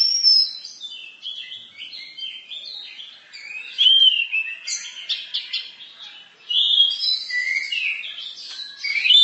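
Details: Orange-headed thrush pouring out varied masteran song: dense, fast sequences of high whistles, trills and chirps, with brief dips in volume between energetic phrases.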